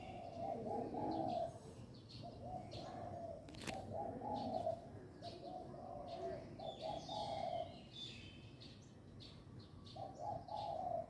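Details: A dove cooing at sunrise on 1 January 2023, moving between perches and calling nearby: soft, low, rolling phrases about a second long, repeated with short pauses, with faint chirps of other birds behind.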